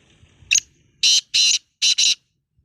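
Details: Black francolin offered for sale, a 'chakri wala' speeder bird: one short sharp note followed by four loud, rasping, hoarse bursts in two pairs, each lasting about a quarter second, over a quiet background.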